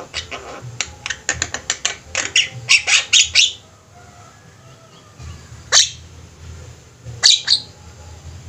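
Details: Javan myna flock in full chatter for a bird-training recording: quick run of rasping clicks and squawks for three seconds, then a lull with a few isolated harsh calls and a steady low hum.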